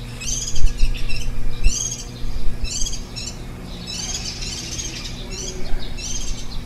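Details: Warbling white-eye at its nest, recorded on 23 July 2018 on the tenth day of rearing nestlings, the day before they left the nest. Bursts of thin, high chirps come in quick clusters about once a second over steady low rumble.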